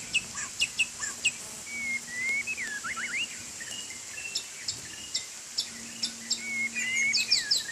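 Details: White-rumped shama singing while bathing in the rain: sharp clipped high notes, then a run of clear whistled phrases sweeping up and down, with a constant high hiss behind.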